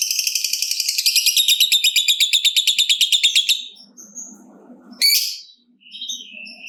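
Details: Lovebird in long trilling song used to get other lovebirds singing: a fast, high, buzzy chatter sustained for nearly four seconds, quickening and thickening midway, followed by a few isolated squeaky notes.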